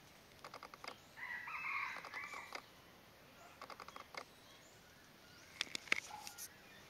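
Common flameback giving dry, rattling bursts of rapid notes in short runs every second or two, with a harsher, higher chattering note mixed in.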